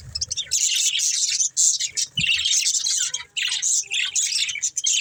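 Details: A group of budgerigars chirps busily during play and feeding: clusters of shrill, chattering notes broken by short silences around two and a half and three and a half seconds, with a soft low thump.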